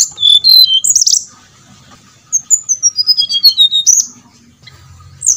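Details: Brown-chested jungle flycatcher song played as a lure to make birds sing: a few clear whistled notes, then a long quick run of high whistles stepping down in pitch, with a final rising note.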